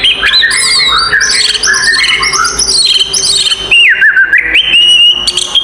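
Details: Oriental magpie-robin (kacer) in full fighting song used to provoke rivals: dense overlapping chattering whistles and high warbled phrases, then a slower looping whistle that dips and rises, loud and unbroken.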